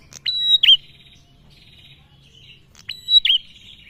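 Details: Two separate phrases from a male bar-winged prinia, a call used as a lure for other prinias and ciblek birds: a high sustained whistle closing with an abrupt downward chip, a long pause between.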